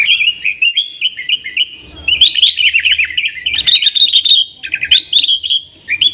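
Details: Yellow-vented bulbul in energetic 'nggaruda' song, used to draw in wild sooty-headed bulbuls; a rapid chirping run leads into a louder, denser tumble of notes, followed by a few clipped phrases and short pauses.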